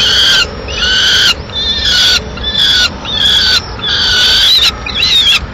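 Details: Female peregrine falcon arriving at a Madrid nest with a pigeon carcass at mid-morning; five long, loud, harsh, whining calls with brief pauses between them, strong and close.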